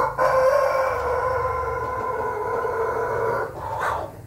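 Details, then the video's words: Ayam Ketawa rooster with a red comb crowing, recorded 20 May 2024: one long, loud, sustained harmonic crow held steady for over three seconds, then a short rising note at the end. "ayam ketawa berkokok aysm jengger merah"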